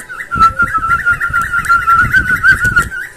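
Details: Cockatiel stimulating sound meant to encourage breeding and song learning: continuous lively warble of quick mid-pitched chirps over a steady whistled tone, with frequent low thuds throughout.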